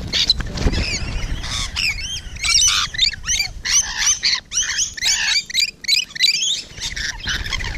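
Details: Rainbow lorikeets up close on the morning of 12 June 2017, a rapid series of sharp, metallic screeches and chattering notes from a noisy group, with some low rumble underneath.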